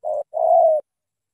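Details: Single phrase from a strong-voiced spotted dove of Cà Mau, Vietnam: a short soft coo, a brief pause, then a longer sustained mellow coo that fades slightly at the end, in clean quiet surroundings.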